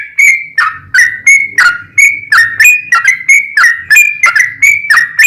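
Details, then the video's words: Yellow-vented bulbul, long rapid song as a lure to make other bulbuls sing: evenly paced, gurgling whistled notes about three per second, with a faint low hum underneath. "SUARA trucukan gacor ROPEL PANJANG pancingan trucukan agar bunyi"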